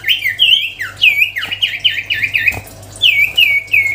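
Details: Sirtu cipow songbird whistling sweetly: looping, wavering notes repeated rapidly, some with a dipping, warbled quality, pausing briefly mid-phrase before a new run of clear downslurs.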